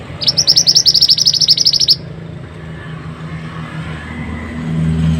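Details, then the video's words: Mantenan, the pied bushchat, heard on a training recording: a steady string of quick, sharp high chirps for nearly two seconds, followed by low background rumble that grows louder. "suara burung mantenan super unik"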